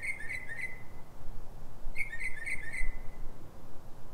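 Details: Northern mockingbird singing before dawn, about 3:44 am, in Silver Spring, Maryland, USA: bursts of three to four rapid repeated chirping notes separated by a second of quiet, over steady low rumble.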